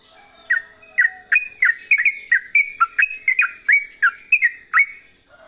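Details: Yellow-vented bulbul (trucukan) delivering quick 'gacor' song: a short low whistle, then a string of about fifteen bubbly, slurred notes in five seconds, bright and bouncing with small pauses between groups.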